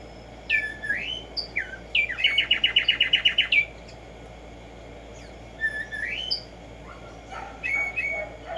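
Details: Morning song of Arremonops conirostris, the Black-striped sparrow: a few swooping whistles lead into a rapid, evenly spaced trill of about ten ringing notes, followed by more slurred whistles against faint background hiss.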